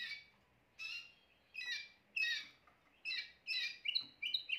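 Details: Timbrado canary giving short separated bursts of bright chirps and trills, each lasting under half a second with brief quiet gaps, ending in a quicker run of whistled notes.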